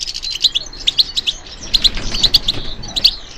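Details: Responding to stimulation, a European goldfinch gives paired high chirps in a quick twittering rhythm, briefly pausing around the middle before resuming a busier run of doubled notes.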